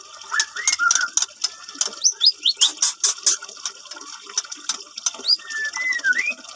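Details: Captive-bred white-rumped shama, an F1 bird of Medan stock from a Bungo bird farm, delivering short upslurred whistles and scattered sliding notes over a steady run of clicking, rattling sounds.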